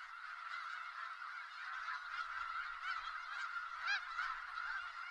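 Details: Dense chorus from a snow goose flock in Skagit Valley: steady overlapping honks with several sharp, upward-bent yelps rising clearly above the crowd.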